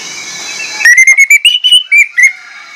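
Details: Orange-headed thrush sings a lure phrase of mimicked notes: a row of about ten loud, clear whistles, each slightly rising, delivered briskly after a quiet hissy start.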